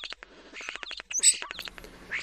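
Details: Male European starling in springtime Wisconsin, putting on a courtship display with wing-flapping, sings a jumbled run of clicks, rattles and squeaky whistles with one thin high whistle midway; a faint hum follows.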